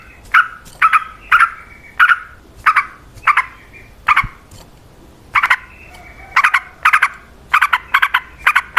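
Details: Lively yellow-vented bulbul song used as bait to make other bulbuls sing in response; a long run of rough paired chirps, spaced evenly at first, then coming faster and overlapping.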